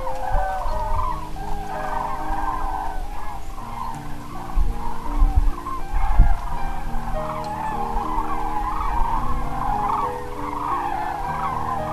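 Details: A large flock of common cranes that have just flown in to roost for the night at Pramort on the Baltic coast of north Germany, while a red deer stag walks through them, calls in a dense, continuous chorus of overlapping trumpeting notes over a low rumble.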